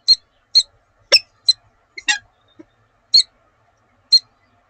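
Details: Peregrine falcon pair at Oudenaarde, 7 March 2020, trading morning calls: sparse clipped, high, scratchy notes spaced about half a second to a second apart, with a few softer murmurs between them.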